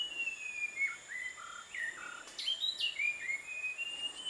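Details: Visayan shama (Copsychus superciliaris) sings a varied run of clear whistled notes, some sliding up or down, over a steady high insect drone.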